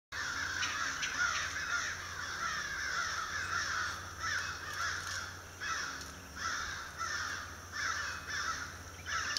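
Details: A group of crows cawing loudly near a cedar tree where a downy woodpecker feeds, February 2012: harsh, hoarse caws in overlapping bursts, several voices calling irregularly, with a steady low background hum.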